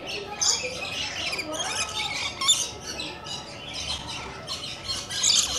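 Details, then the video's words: Rainbow lorikeets with coconut lorikeets keep up a dense run of rasping, high screeches, short bursts overlapping almost without pause. "Coconut And Rainbow Lorikeets Want To Visit"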